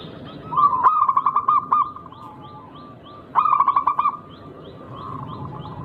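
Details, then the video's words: Local zebra dove with a rare, unusual rhythm, used to provoke rivals into answering. Two bursts of rapid pulsed cooing near one pitch, each a quick rolling trill of about eight beats, with faint higher chirps from other birds behind. "Burung Perkutut Lokal berirama Unik Langka gacor"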